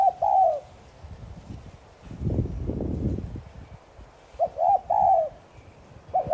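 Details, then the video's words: Spotted dove calling in thúc gù style to stir other doves to coo. Soft low coos at the start and a doubled phrase later, separated by a burst of rustling, thumping noise. "Chim cu gáy THÚC GÙ Sát Bổi kích bổi nhanh nổi.Cu gáy THÚC GÙ CỰC VÍP kích bổi gáy ngay.cu đất gáy"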